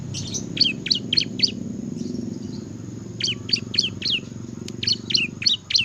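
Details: Bar-winged prinia in ngebren song: bursts of quick, piercing high chirps separated by a pause of over a second, over a low background rumble.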